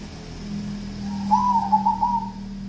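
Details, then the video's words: Local wild-type zebra dove, called 'perkutut kuntilanak', giving one brief bubbling trilled coo over a steady low hum. "Perkutut kuntilanak"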